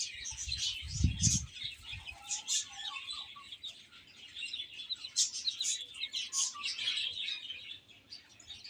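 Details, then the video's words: Baby chickens eating and playing, a chorus of shrill overlapping peeps at a fast, irregular pace, with a short low thump near the start. "Cute Chicks Chirping Sounds"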